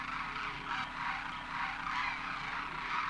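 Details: Demoiselle cranes gather in thousands at a water hole in Khichan, Rajasthan, India, landing after their winter migration across the Himalaya. Throaty, rolling calls from many birds blend into a dense, undulating chorus with a faint low hum.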